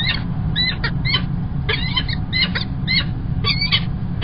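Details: Male Peregrine falcon arriving with an early breakfast at Kingston College, UK, on 1 March 2021: short harmonic squealing calls in bursts, some rising, with a steady low rumble of background noise underneath.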